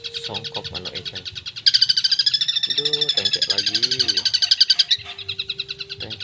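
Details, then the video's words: Long-tailed shrike singing vigorously with full isian: a long dense rattling trill of high notes lasting about three seconds, framed by brief lower warbles and a steady tone. "Suara Burung Cendet Gacor full Isian"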